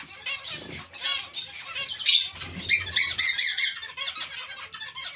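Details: A zebra finch colony with Bengalese finches present: overlapping buzzy, nasal beeps and a quick run of sharp rhythmic notes, with occasional low thuds of movement.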